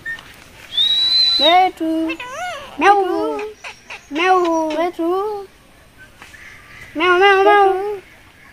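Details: Talking pet Indian ringneck parakeet: a clear whistle, then a run of raspy mimicked syllables like "me me to me", each rising and falling in pitch, in several short bursts with pauses between.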